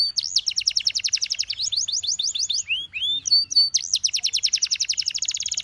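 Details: Canary singing a long run of fast repeated downward-sweeping notes, briefly broken by slower curved whistles, then ending in a tight, very rapid high trill.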